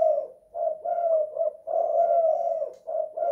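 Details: Indoor spotted dove of the two-kuk, one-guk song type giving soft, mellow coos in uneven bursts, a longer drawn coo in the middle, brief quiet gaps between phrases.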